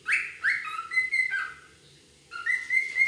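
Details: A wild cockatiel (Nymphicus hollandicus) gives a quick series of rising, whistled chirps, then a pause and two more warbling whistles; no other sounds stand out.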